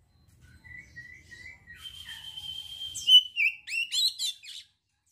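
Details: Provoking song of an oriental magpie-robin, meant to raise arousal and aggression in untrained birds. A long, steady whistled note builds up and then breaks into a quick series of loud, sharp, tumbling notes that stop abruptly.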